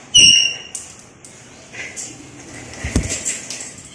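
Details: A talking ringneck (rose-ringed) parakeet gives one loud, high, ringing note, then soft, breathy chatter in a small, cute voice spread across the next few seconds.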